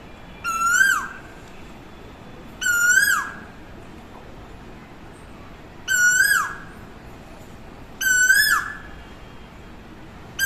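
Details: Asian koel (koyal) that calls to the person recording: four loud clear notes, each slurred and ringing, repeated about every two seconds over a quiet background.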